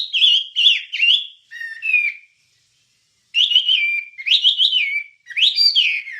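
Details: Wambie song for training songbirds: bursts of rich, twisting whistles and trills separated by a silent gap of about a second. Phrases rise and fall sharply. Clean recording.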